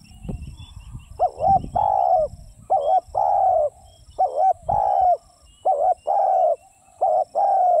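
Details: Spotted dove giving four repeated coo phrases, each made of a short double-noted coo and a long drawn, gently falling note, steady and low-pitched. Soft rustling and knocks at the start.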